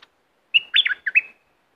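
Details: Bulbul of southern Thailand, a song for exciting birds before trapping: one crisp phrase of rich, rolling whistled notes, up-down and fluty, closing on a drawn-out high whistle.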